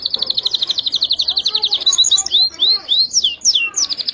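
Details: Singing canary: a dense, rapid trill gives way to a string of arched whistled slurs and short upward sweeps, ending in another quick, even trill.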